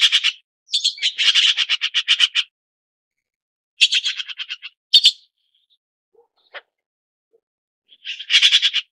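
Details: Red-billed blue magpie producing fast trains of rasping, scratchy notes, a sharp squawk, a silent stretch, then another rapid harsh series at the end.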